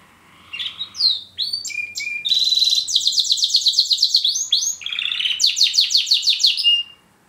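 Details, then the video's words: Male Border canary kept indoors as a pet, with a second canary, a German Roller, in the same home: scattered varied notes build into long, fast, rattling trills at high pitch, briefly broken by a lower buzzy run. "Border Canary Singing"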